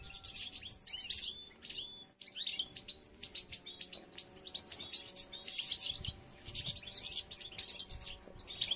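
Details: Goldfinches as females start collecting material and several nests are being built; loud, busy chorus of bright, tinkling twitters and quick liquid trills, with a few sharp rising whistles near the start.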